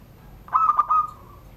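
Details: ['Kept zebra dove from Banten, Indonesia, cooing in the classic Surung Gdor style under a door. A single brief phrase of three clipped notes runs into a sustained ringing tail that fades out.']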